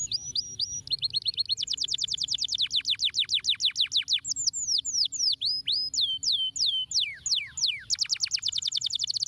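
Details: Canary singing to stimulate lazy canaries: fast rolling trills of high, sharply descending whistled notes, shifting through several tour speeds and pitches, ending in a rapid buzzy high trill.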